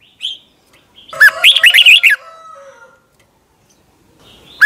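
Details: Doubled (เบิ้ล) song of a caged red-whiskered bulbul in Thailand: a brief soft note, then one loud bubbly phrase of quick whistled notes, and the start of the next phrase at the end.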